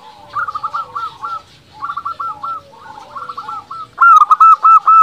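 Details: Local zebra dove singing to make rival doves answer back: several medium-loud phrases of rapid burbling coo notes, then a louder closing run of about eight crisp, evenly spaced fluty notes.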